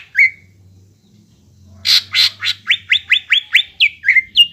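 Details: A greater green leafbird sings to stimulate young birds to sing: one lone whistle, a quiet pause, then loud harsh bursts followed by a quick regular series of sharp whistled slurs.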